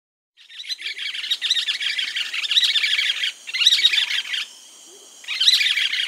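Yellow-billed Nunbird giving harsh, chattering calls in a dense, rolling stream that breaks off briefly before starting up again.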